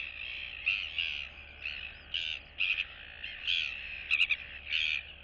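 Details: Royal albatross chicks, one still downy, interact with neighbours in their colony, September 2022. Rapid, choppy series of harsh squawking notes in short bursts, some doubled, with a background hiss.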